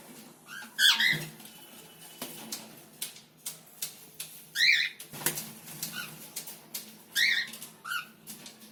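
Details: A cockatiel gives short, warbling chirps in scattered bursts, with clicks and rustling between them.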